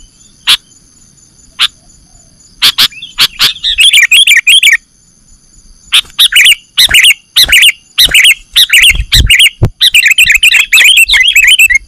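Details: Sooty-headed bulbul calls for luring birds: scattered single chirps give way to long, fast bubbling runs of jumbled notes, with a low thump near the end and a thin steady hum throughout.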